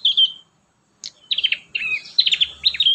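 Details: Prinia song used to train young prinias: one clear chirp, a brief silence, then rapid runs of high chirping, slurred notes.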